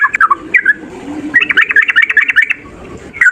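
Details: Yellow-vented bulbul male in fighting mood, singing a long rapid lure song: a few scattered liquid notes, then a fast burst of bubbly chattering phrases, with soft low background rumble.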